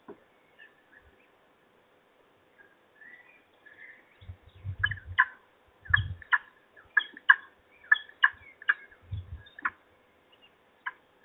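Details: Peregrine falcons at the nest during an evening feeding in Trzebież, dated 17-05-21. A burst of sharp, harsh calls repeated about once a second, building to a dense run midway and then tapering off, with soft low thumps underneath.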